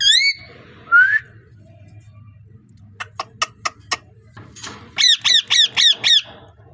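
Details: Parrot vocalizing indoors: a high wavering whistle opens, then a rising slurred whistle, a run of five sharp clicks, and finally five loud harsh notes repeated evenly about every quarter second over a low background hum.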